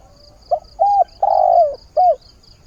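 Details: A spotted dove kept as a lure bird calls for a mate at the start of the day. A clear phrase of four notes, the third long and sliding downward. A faint regular high-pitched ticking sounds behind.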